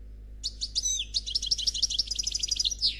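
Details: European goldfinch ('Noir') delivering Khalwi song said to be without faults: a dense, continuous high twitter of sharp chirps, slurred whistles and buzzy trills that ends with a descending note, faint hum behind.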